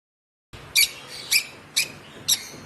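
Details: A one-month-old African lovebird chick, hand-fed since two weeks of age, gives four sharp, high, squeaky chirps spaced about half a second apart, over faint background hiss.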